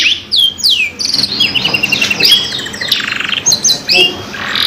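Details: Canary lure song fragment: a few rising whistled slurs, then a buzzy rolling trill and short chip bursts separated by brief gaps, quieter and more broken than a steady phrase.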